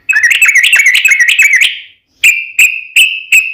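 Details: Sooty-headed bulbul singing energetically as a lure for other bulbuls: a rapid rolling chatter lasting under two seconds, a brief silence, then four clear, evenly spaced whistled notes.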